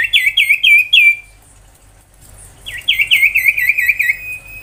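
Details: Ashy tailorbird song meant for tutoring magpie-robins and young tailorbirds: two bursts of quick wavering chirped notes, four then about eight, separated by a short silence.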